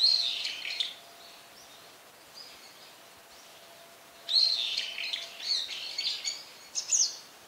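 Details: Brown-eared bulbul: harsh, rasping calls that open loudly, fade, then return as a longer string of grating screeches ending in a sharp high note, with a faint steady hum behind.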